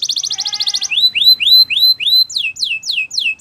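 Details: Belgian canary singing a rapid buzzy rattle, then four loud rising slurred whistles, followed by several sharply falling whistled notes at a slower pace.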